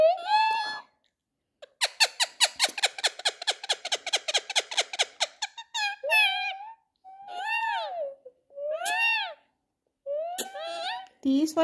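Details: A pet rose-ringed (ringneck) parakeet, apparently while fighting, gives a rapid run of harsh, repeated chattering notes, then several drawn-out, rising-and-falling mid-pitch squawks of about half a second each.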